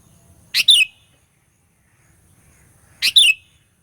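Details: Sooty-headed bulbul sound played to provoke rival birds: two identical short two-part phrases, each a rasping burst then a downslurred whistle, about two and a half seconds apart, with a faint background hum.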